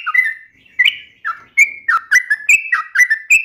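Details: Sooty-headed bulbul sharp uplik, nembak and ropel singing: clear, slurred whistles, some held and some dropping, delivered in quick separate notes about three per second.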